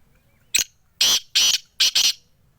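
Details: Black francolin (Sindhi kala tetar) calling: a short sharp harsh note, then two longer loud grating bursts, then a quick doubled burst, all rasping and broadband within about two seconds, against quiet surroundings.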